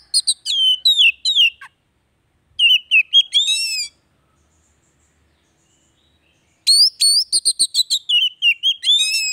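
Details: Oriental magpie-robin in full varied song, used to restart a silent bird: fast sequences of whistles, trills and buzzy chatter in several-second bursts, with long quiet gaps between.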